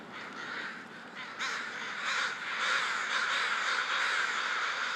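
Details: Crows gathering in a big group ahead of going to roost: a quieter start, then a sudden swell into a loud, steady wall of overlapping hoarse cawing from many birds.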